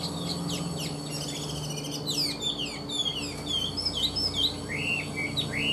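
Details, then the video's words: Chinese hwamei singing a lively run of varied whistled phrases, quick rising and falling slurs and sharp upswept notes tumbling one after another, with a steady low hum underneath. "Họat Họa Mi"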